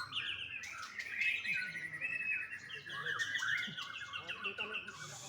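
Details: Young farm-bred white-rumped shama from Bali, Indonesia, delivering varied warbled and whistled notes with quick chirps and sliding phrases, continuous for about five seconds, with faint clicks behind.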